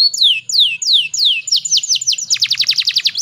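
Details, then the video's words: Female canary singing as a lure to get other canaries singing; a short series of downslurred whistles, each about half a second, speeding into a rapid chattering trill. "PANCINGAN KENARI BAHAN AGAR CEPAT GACORR"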